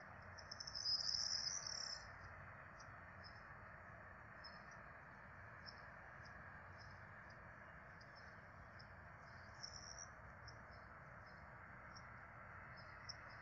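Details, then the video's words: Peregrine falcon quadruplets begging as they are fed at a nest in Rome, 12 April 2024: a loud, shrill, high wailing burst opens, followed by faint, short, high notes repeated several times a second over constant rumble. "Peregrine Falcons -Alex & Amelia- Karmienie czworaczków"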